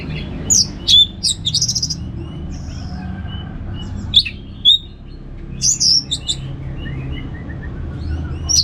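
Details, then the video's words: Orange-headed thrush (anis merah) singing in easy 'ngeplong' fashion. Scattered loud, high whistled phrases and short trills alternate with softer descending notes and gaps. Low rumble plays in the background. "$uara ANIS MERAH Ngeplong Santai"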